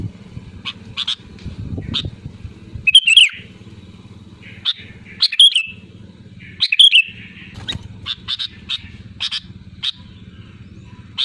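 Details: Sooty-headed bulbul calling to rivals, a loud lure call: a few warbled bubbling phrases scattered among many short sharp chirps and clicks, with a steady low hum underneath.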